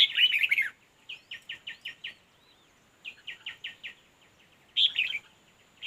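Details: Red-whiskered bulbul singing at a fighting competition: loud harsh burst, then two runs of five or six crisp chirps about a quarter second apart, ending with another rough, noisy burst.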